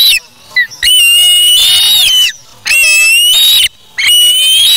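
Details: Young osprey at its nest taking fish from a parent, August 3, 2017; sustained harsh, high-pitched screeching whistles lasting over a second each, three long bouts with short pauses between.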